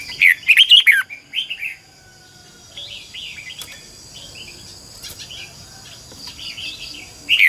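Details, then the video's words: Red-whiskered bulbul decoy bird singing to train other caged birds: a loud burst of warbled, rolling notes in the first two seconds, then quieter distant whistled phrases over a faint insect hiss, and a final note at the end. "chào mào mồi hót luyện giọng cực hay"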